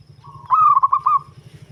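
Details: Local zebra dove with a deep, bass voice, kept as a lure for trapping other doves; a brief burst of rolling, warbled coos at a steady mid pitch, about five quick pulses in under a second, over a low rumbling hum.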